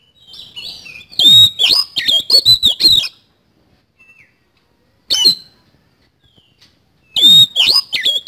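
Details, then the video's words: Kacer, the Oriental magpie-robin, delivering 'isian kasan' song: a two-second burst of loud whistles and rasping chatter, near silence, a single short call, then another loud, rapid phrase. "BURUNG KACER GACOR ISIAN KASAN"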